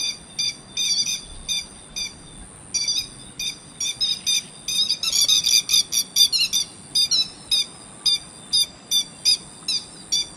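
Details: Grey-headed lapwing call track for luring birds to traps: a long run of sharp, piercing notes repeated rapidly, crowding into a dense excited burst midway before settling back into evenly spaced calls, over a thin steady high tone.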